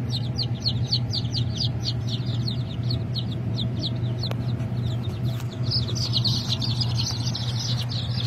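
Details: Japanese bantam chickens at a hatchery: high, thin peeps repeated rapidly and overlapping, several each second, over a steady low mechanical hum.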